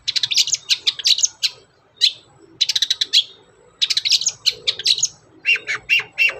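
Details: Energetic long-tailed shrike singing as a lure for its kind: dense clusters of quick high chirps and twitters, broken by short gaps, ending in a few lower, harsher notes.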